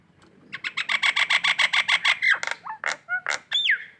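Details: Morning ngekek call of a collared kingfisher in Indonesia: a fast, even series of about fourteen harsh, strident kek notes that builds in loudness, then several separate squawks and a final slurred note.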